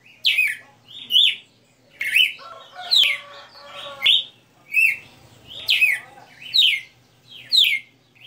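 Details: Kept red-cowled cardinal delivering a long sequence of ringing whistled notes, downswept with rising tails, one roughly every second, with a few lower tonal notes mid-sequence and a background hum.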